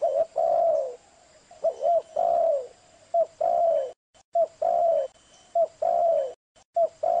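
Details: Spotted dove (tekukur) calling: low, mellow coos in repeated phrases, short notes followed by longer drawn-out coos, with abrupt brief silences between bursts.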